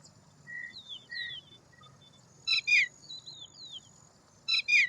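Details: Rasping double bursts from an Indian roller, repeated about two seconds apart, following soft tonal notes and slurred downward whistles from other birds.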